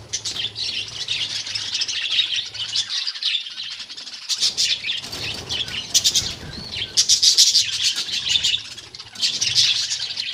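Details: Budgerigars housed as a colony instead of in cages keep up steady, busy high chirping and warbling, with repeated louder chirp bursts and a faint low hum beneath.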